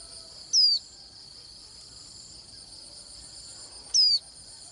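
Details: Swinhoe's white-eye in song, described as sweet-sounding: a pair of sharp, high whistled notes falling in pitch, spaced over three seconds apart, with continuous shrill insect buzzing behind.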